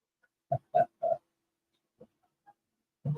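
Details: Turkeys found in a rural province of the Philippines give three quick, throaty, mid-pitched calls in about a second, then a pause, a couple of faint notes and one more call. Finding: Turkey.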